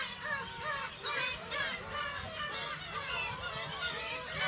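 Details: Kabushima island, Hachinohe, Japan, on an early-summer day, 10 June 2020, with Black-tailed gulls nesting with chicks, recorded on a GoPro HERO8: a continuous wash of overlapping wavering gull cries, slightly distant.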